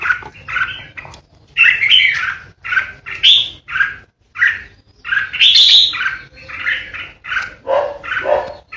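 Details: A captive red-whiskered bulbul used as a decoy sings loud, bubbly whistled "ché" phrases, each about half a second long, given in quick runs with short pauses.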